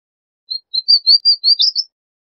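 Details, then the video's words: Brief phrase of thin, slurred high whistles from a Palestine sunbird, seven notes rising slightly and ending in a squeaky flourish. "Suimanga Palestino Canto! Suimanga Palestino Llamado! Voz! - Palestine Sunbird Song"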